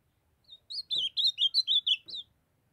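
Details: Song of a young ultramarine grosbeak, Northeast Brazil style, sung since its brown juvenile plumage: about nine fast, twisting whistled notes in one phrase, with two soft knocks in the background.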